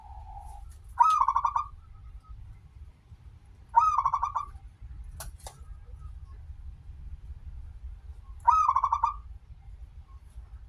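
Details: A local zebra dove sings freely, played as a lure to set other zebra doves calling. It gives three rapid pulsed coo phrases, each with a higher opening note, at irregular gaps of about three to four and a half seconds. A brief click sounds between.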